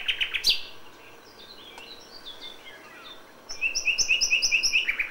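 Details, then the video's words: Dawn song of a common nightingale in May: a short loud note group, softer varied warbling in the middle, then a fast run of repeated, evenly spaced high chirps ending in a rising flourish. "A FÜLEMÜLE ÉNEKE."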